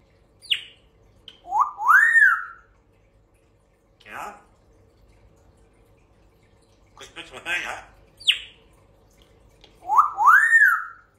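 A grey parrot talks in a few short bursts, mixing speech-like phrases with rising, swooping whistles and sharp high chirps, with quiet rustling between.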